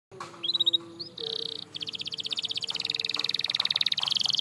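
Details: Canary song used as a training sound to help canaries sing: soft separate whistled notes, then long even trills of rapid pulses repeated many times per second, shifting pitch between tours.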